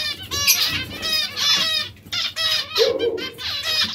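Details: Breeding pairs of zebra finches calling: short nasal, buzzy notes with stacked overtones come in bursts about once a second. Several birds overlap, and one lower, harsher note stands out near the end.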